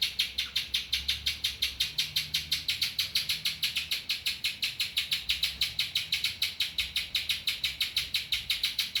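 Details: Song of a spiderhunter carrying ciblek-style phrases: high, piercing chips repeated rapidly and evenly, roughly six each second, running unbroken for the whole stretch with only a low rumble beneath.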